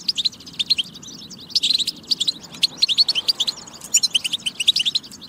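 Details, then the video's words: European goldfinch song for motivating goldfinches to sing: lively phrases of high tinkling twitters and rapid chirp runs, rising and falling in bursts, with brief softer gaps between them. "بتبة فتاكة لتحفيز الحسون على التغريد والجهوزية"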